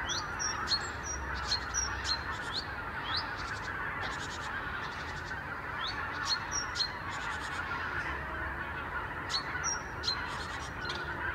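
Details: Thousands of wild Arctic geese wintering on Germany's Lower Rhine, returning in the morning from their sleeping places to pastures and meadows. A dense, unbroken roar of overlapping honks fills the air. Thin, high whistled notes from other birds come and go.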